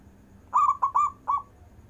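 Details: One phrase from a local zebra dove singing with long breath, used for calling lazy doves: four soft, rounded coos, the first drawn out, the last set slightly apart, clear against a faint hum.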